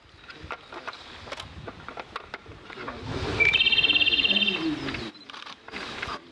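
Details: Singing Japanese robin met at a mountain pass: a single clear whistle followed by a rapid, regular rattle of high notes for about a second, amid scattered soft clicks and low background noise.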